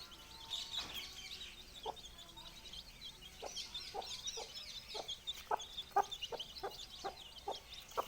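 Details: Four-day-old chicks peep continuously in a high, twittering chorus. Their mother hen, who hatched the eggs, adds soft, clipped clucks that come more often in the second half.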